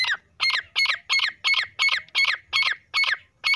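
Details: Female grey francolin (teetar), a recording meant for hunting: loud, harsh, squawking notes rising and falling, repeated steadily about three times a second for the whole stretch, with faint low background rumble.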